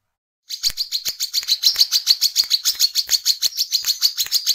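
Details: Brown-throated sunbird (wiceh, kolibri kelapa) singing in vigorous ngecret ngeplong style, used as a lure for training birds: a fast, steady series of high, sharp chipping notes, about three per second, after a brief silent start.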